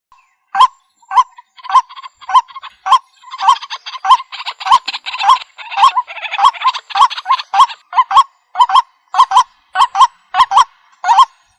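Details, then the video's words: A waterhen gives loud, harsh croaking notes, almost two a second, crowding in the middle into a dense, noisy chorus of overlapping calls. "Jal Murgi Ki Sound |Jal Murgi Call Voice | Ban Murgi Ki Awaaz"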